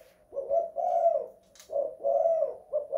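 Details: Indoor tekukur (spotted dove) in the 'kuk 2 / guk 1' style: two mellow, rough-edged coo phrases, each a short note followed by a longer drawn one, with a faint tap.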